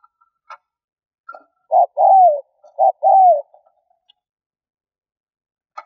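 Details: Lure calling by a spotted dove: one phrase of two short coos and a long downward-sliding coo, repeated once, with faint ticks and a soft high note around it.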